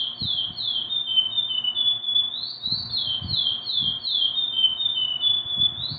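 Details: Chestnut-bellied seed finch, known as curió, pouring out a long run of clear whistled notes, each falling in pitch, repeated in a rolling rhythm with a brief higher surge; occasional dull thumps underneath.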